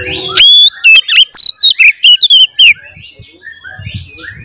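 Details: Oriental magpie-robin fighting song, used to provoke other magpie-robins into emotional display: loud, rapid, sharply varied whistles, slurs and chips in quick succession. It fades into softer distant notes and low rumbling.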